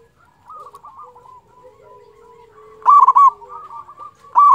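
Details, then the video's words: Local zebra dove used as a singing lure for lazy or untrained doves; soft scattered coos give way to two loud, burry cooing phrases close together near the end. "pancingan perkutut lokal gacor suara ampuh bikin lawan cepat bunyi"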